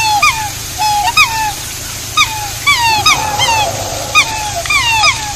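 Black swans give high, musical bugling honks that rise then drop, about ten in five seconds, with several birds overlapping.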